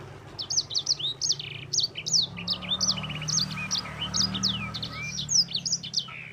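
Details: Yellow-fronted canary known as sanger, singing its long gacor roll for tutoring: steady stream of crisp high chips and downslurred whistles at a brisk pace, with a low murmuring background hum throughout.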